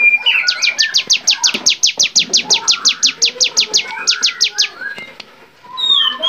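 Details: Songbird training recording of a bar-winged prinia in lively varied song: a fast, regular string of sharp high falling notes, about three per second, then a short quiet gap and soft chirps.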